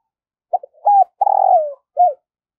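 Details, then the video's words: Spotted dove used as a lure for wild doves, cooing a full phrase: two short notes, a held coo, a long buzzy coo sliding down, then a final short coo; nothing else audible. "Luyện Giọng Chim Cu Gáy Mồi Mỗi Ngày"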